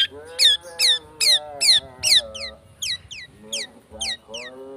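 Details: Long-tailed shrike singing a speed rapet lure: harsh descending slurred notes repeated roughly every half second, loud at first and then softer, with a faint steady low hum beneath.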